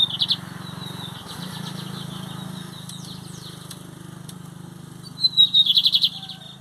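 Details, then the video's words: Brazilian lined seedeater, 2023 competition season, metálico versus torneiro song styles: a brief high trill at the start and a strong buzzy series of quick pulses at the end, with a steady low hum between. "Bigodinho Metálico x Torneiro"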